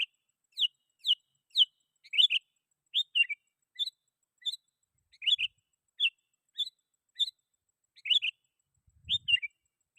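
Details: Sooty-headed bulbul calling rivals, used to draw in wild bulbuls: bright, upward-flicking chirps given singly or in pairs about every half second, clear against a silent background, with a faint low knock near the end.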